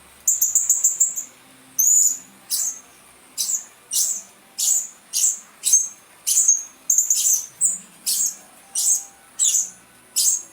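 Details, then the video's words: Blue-crowned hanging parrot lure sound to attract birds: a fast stuttering burst of very high squeaks, then loud shrill single notes repeated about every 0.6 seconds, clear against a quiet background. "Suara-Suara Denak Pemikat Burung Serindit Dada Merah"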